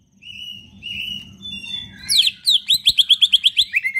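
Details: Captive green leafbird singing a varied full song meant to stir lazy leafbirds into singing: slurred whistles at first, then a rapid regular series of around ten bright, sharp chirping notes ending in a lower whistle, with a steady low hum.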